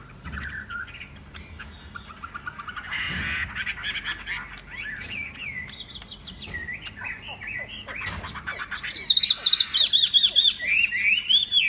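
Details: A tame Chinese hwamei gives mixed chirps and varied phrases, building toward the end into a bright, rapidly repeated run of high whistled notes.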